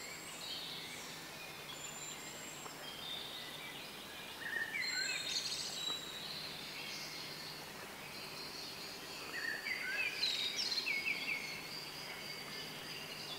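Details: Bluethroat singing beside the Tajo river at Aranjuez, Madrid, Spain, in May 2023; thin high twittering and scratchy phrases come in bursts with short whistled notes, over steady outdoor background noise.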